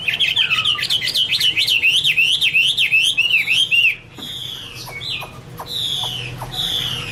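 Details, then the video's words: Chinese hwamei (Garrulax canorus) delivering a loud, fast series of repeated zigzag whistles for about four seconds, then a pause followed by softer slurred notes and clicks, with a low background hum. "Birds Garrulax canorus: Singer yellow mouth - wonderful birdsong 2016"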